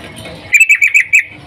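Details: Female sooty-headed bulbul calling for a male while in breeding condition: a single quick burst of six sharp, bright notes in well under a second, with quiet background before and after.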